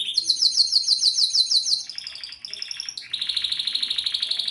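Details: Canary singing pleasantly: fast trills of rapid repeated high notes, a buzzy rolling phrase, then a steady high trill, one continuous varied song.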